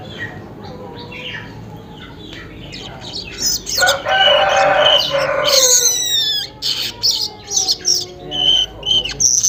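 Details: Weaver recorded in the morning near 5:40, with high buzzy chatter and sharp chips before and after a loud rooster crow that dominates the middle stretch.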